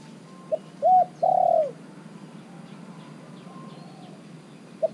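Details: Caged spotted dove, a three-month-caged decoy calling wild birds to join: two low coo notes, a short arched one then a longer fuller one, with soft single coos before and after over steady background hiss.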